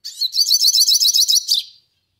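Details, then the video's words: Yellow-faced siskin delivering a loud, high, rapid trill of about a dozen evenly repeated buzzy notes over roughly one and a half seconds, ending with a brief falling tail, then silence. "CANTO MELODIOSO PINTASSILGO DO NORDESTE!"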